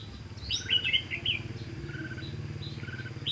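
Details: A decoy Red-whiskered bulbul at a trapping site on 18 September 2016 gives a burst of sharp, slurred whistled notes near the start, then sparse thinner chirps over a constant low hum.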